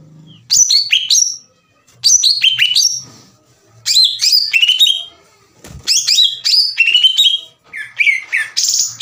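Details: Green leafbird singing to provoke a rival into song: high, bright bursts of quick chattering, descending whistled notes delivered in phrases of about a second, separated by short silences.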